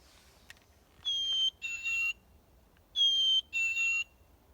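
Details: A Black-capped Chickadee at a school forest bird-watching station, a bird heard there all year round, whistles its clear two-note fee-bee song, a high note then a lower one, given twice about two seconds apart in a quiet setting.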